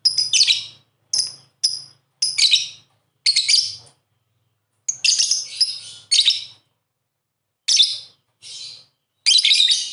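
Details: Lovebird sounds used as a lure to prompt reluctant lovebirds into singing. Rapid high-pitched chattering bursts, some longer and dense, some brief, come in irregular clusters with short silent gaps and a faint low hum beneath.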